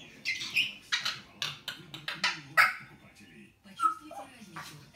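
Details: An agitated pet talking grey parrot, said to get angry and scold and to bite, gives a string of harsh, speech-like squawks and chatter, about two each second, with sharp high whistles mixed in, while a person speaks nearby.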